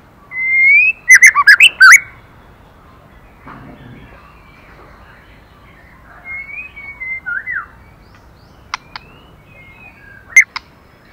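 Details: Female white-rumped shama singing to stimulate the male: a loud burst of rising whistled notes with sharp clicks in the first two seconds, then softer warbled phrases after a pause, and a few scattered clicks near the end.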